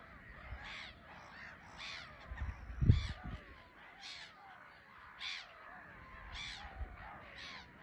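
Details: Black-headed gulls at an island colony, RSPB Frampton Marsh, grey sky; a steady series of harsh, grating cries roughly every 0.8 seconds, with a loud low knock near the middle and faint background calling.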